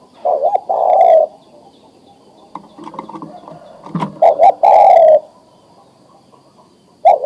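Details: Male spotted dove of breeding age calling a female to mate: husky, throaty coo phrases, a double note opening and a longer slurred coo after a pause, with faint low rumbling and clicks.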